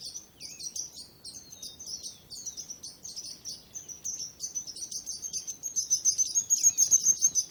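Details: Relaxing birds chirping: thin, high chirps and short trills, quieter at first, then growing louder with a fast, regular run of sharp notes near the end.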